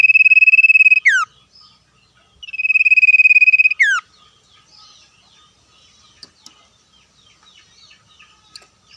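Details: Common iora calling back and forth with wild birds outdoors: two fast, pulsed trills each ending in a downward slur, about 2.7 seconds apart, followed by scattered faint chirps and clicks from other birds.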